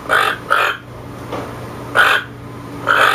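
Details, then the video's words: Rasping toucan croaks, a quick pair, then a soft one, then two more well apart, each short and gravelly, with a faint constant hum behind. "Toucan sound"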